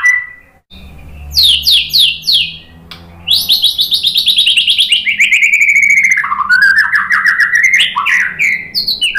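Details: White-rumped shama song aimed at making fighting males answer: rapid high downslurred notes, then a long loud rattling trill that descends steadily and breaks into varied whistled flourishes.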